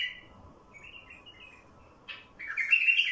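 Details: Song of a wild bulbul, played to get wild bulbuls singing: a short warble opens, soft twitters follow, then a loud, rich, rolling phrase closes the passage.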